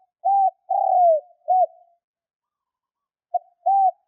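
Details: A spotted dove decoy giving quick luring coos for wild doves: a level coo, a long descending coo and a short note, then after a pause a new phrase begins with a clipped note and another coo.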